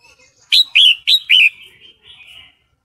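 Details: Sooty-headed bulbul female in breeding condition, calling the male as a lure: four loud, quick, downslurred chirps in a row, trailing into a soft, thin twitter.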